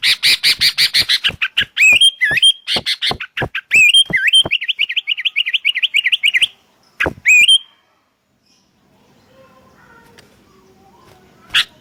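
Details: Sooty-headed bulbul calls answering each other for luring: a rapid run of harsh notes merging into many bright, twisting whistles, a lively chattering stretch, then a final whistled phrase and quiet.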